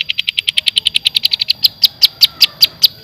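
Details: Long-tailed shrike from Java in full, clear filler song: a fast, steady series of sharp chipped notes that slows toward the end into louder, evenly spaced chips.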